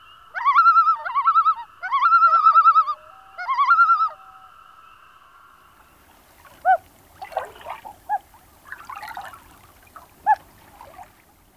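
Common Loon giving three quavering, laugh-like bursts of rapidly wavering notes over four seconds, then softer, clucking calls from another waterbird.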